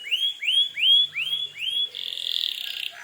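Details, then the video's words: Canary in full, vigorous song, used as a lure to provoke other canaries into answering: five rising, upswept whistled syllables repeated about twice a second, then a dense, buzzy trill to the end. "suara burung kenari gacor ini paling ampuh untuk pancingan kenari agar Nyaut emosi"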